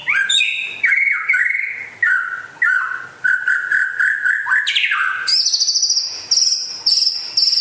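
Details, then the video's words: Singing white-rumped shama of West Aceh origin, called rare: varied whistled and slurred phrases in rapid succession, then a switch to very high, thin buzzy trills repeated in short bursts. "Kicau Burung Murai Asal Aceh Barat Langka Gacor Jos"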